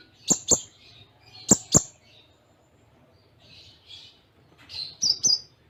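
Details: Konin song, Cililin-filled tutor style: pairs of sharp loud clicks with high squeaky notes, a short soft buzzy note in the middle, then two more squeaky chirps, in a quiet setting.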